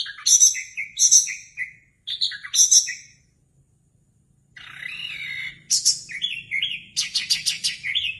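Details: Orange-headed thrush, a cage bird in Indonesia, gives a few bright repeated whistled notes, falls silent about two seconds, then resumes with sweeping whistles and fast stuttering trills over a faint low hum.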